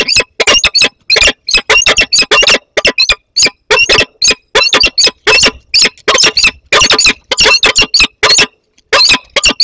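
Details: Peregrine falcon, a young bird flying in to meet an adult, Barycz Valley, Poland, 15 August 2021: harsh, squawking high calls in rapid, uneven bursts, several per second, with only short gaps between them.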